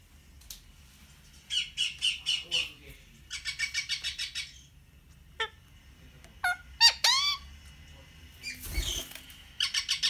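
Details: Pet rose-ringed parakeet, an Indian ringed parrot, gives bursts of harsh, rasping notes repeated in quick rows, broken by sharp squawks that sweep down in pitch, with quiet pauses between.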